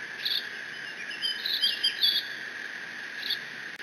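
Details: A lone Decorah eaglet, bald eagle, squees on 30 June 2017 while mantling its father's fish against siblings that never come; high squeaks break into a rapid slurred chattering run, then one more squeak, over a steady hum.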